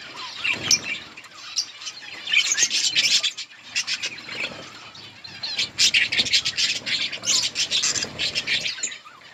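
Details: Budgerigar colony chirping while eating green leaves; loud overlapping scratchy chatter and squawks in waves, with frequent clicking and possible wing flutters.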